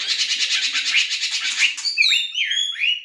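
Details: Melodious laughingthrush (Chinese hwamei) starts with a dense scratchy rattle, then switches to clear bouncing whistled slurs, each rising and falling.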